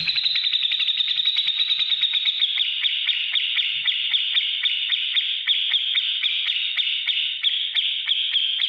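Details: Ngetik ngipik style of a grey-cheeked bulbul, used to train other cage birds: one unbroken, fast, ticking chatter, high and buzzy, running evenly throughout with tiny clicks stacked closely, a soft low hum early on.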